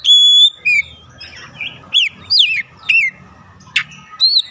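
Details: White-rumped shama singing as a lure to make other birds sing: a long pure whistle opens, followed by quick swooping and falling whistled notes and a harsh burst, phrases spaced by short gaps, faint low hum underneath.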